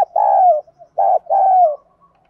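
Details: 'Giọng đồng' spotted dove coo for training decoy birds: a long, smooth, slightly falling low coo, a pause, then a shorter coo running into another long mellow note.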